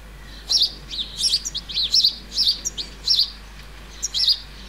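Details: Juvenile European goldfinch in a countryside flower bed, central France, 30 July 2019: rapid run of sharp, high, twittering call notes, about eight loud bursts within a few seconds, clear and close.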